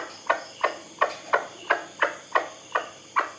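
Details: White-breasted waterhen, recorded for nighttime playback to draw birds in: eight clipped, throaty kwak notes at a steady pace of roughly two per second, each note falling away quickly, over a low background hum.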